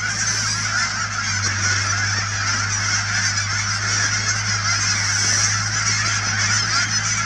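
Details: Thousands of Canada geese gathered at the Cheam Wetlands near Chilliwack, British Columbia, making a dense, unbroken chorus of overlapping honks, with a steady low hum beneath the flock throughout.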